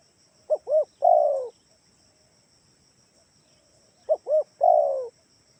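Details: Kalimantan spotted dove lure call, intended to draw answers from other doves: two short coos and one extended, slightly rough descending note, the three-part phrase repeated after roughly 3.5 seconds over steady insect buzzing.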